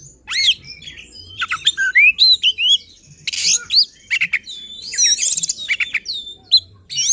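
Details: Agitated oriental magpie-robin song used to provoke rivals, full of varied mimicked phrases: upward-swept whistles, scratchy bursts and sharp chips delivered in a restless, uneven stream.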